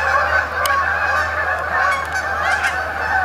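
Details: A flock of Canada geese (Branta canadensis) flying in to spend the night on a pond at Sapsucker Woods, Ithaca, New York, 28 October 2017, gives a steady chorus of overlapping, nasal honks, loud and continuous throughout.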